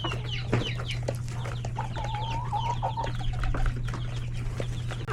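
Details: Hens, roosters and chicks in a coop at feeding time; rapid peeping chick calls and clucks, with a sustained drawn-out hen note around the middle, over a steady low hum.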